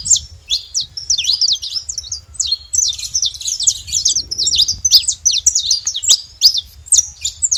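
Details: Free-living saffron finches in the wild give tightly packed, bright chipping notes and short down-swept whistles, steady across the stretch, with faint low hum.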